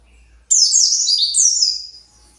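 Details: Kept white-eye, agitated while searching for its flock, gives one burst of rapid, very high twittering notes, each sliding downward, lasting about a second and a half in a quiet room.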